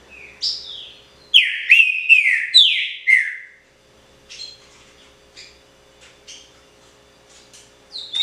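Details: Trinca-ferro, or green-winged saltator, a cage bird in pixarro song style, opens with a rising note, then delivers four strong, falling whistled phrases before softer scattered chips trail off.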